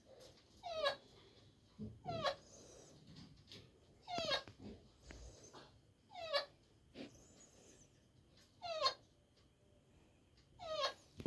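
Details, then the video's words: Pet talking parrot giving rising, whistled vocal phrases that sweep upward in pitch, repeated roughly every two seconds, with soft breathy sounds between phrases. "Talking parrot"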